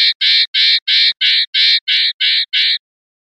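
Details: Common linnet singing in the clean 'pardillo limpio' style, from a 2021/2022 song CD: nine strong, rasping notes repeated about three times a second in an even series, then silence.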